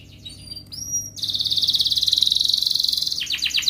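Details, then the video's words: Canary singing in ngerol style to prompt idle canaries. A few thin high whistles lead into a long, sustained rapid trill with a pulsing beat, then a run of falling chirps. "Kenari gacor NGEREK MBARONG Cuit cuit NGEROL ini terbukti Ampuh untuk pancingan Kenari Malas BUNYI"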